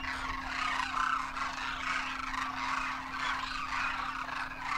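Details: Winter visitation of Demoiselle cranes in Rajasthan, India: a vast wild flock including first-year juveniles with their parents, calling on take-off; unbroken, layered rolling trumpets from countless birds fill the air over a continuous hum.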